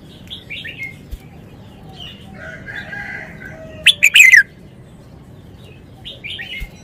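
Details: Red-whiskered bulbul kept in a cage, singing in the wild style (phleng pa): one loud burst of four quick, clear warbled notes midway, framed by fainter chattering of other birds.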